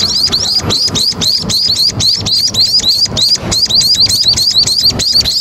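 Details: Munias by a main roadside, a flock giving rapid, overlapping high chirps, each a short rising-then-falling note, several per second without pause; a low traffic rumble underneath.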